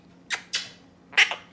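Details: Pet monk parakeet after a shower, being coaxed to say the Spanish word "beso", gives three short, breathy, hissing syllables: two close together, then a louder, raspier two-part word after a pause, possibly talk mimicry.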